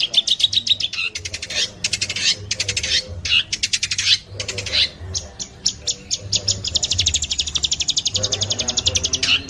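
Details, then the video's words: Long-tailed shrike giving a dense, fast, varied song: rapid buzzy rattles and high chattering trills in bursts, broken by short pauses, finishing in a steady quick series of sharp notes, over a soft low hum. "Masteran cendet, speed jossssss - kicau burung"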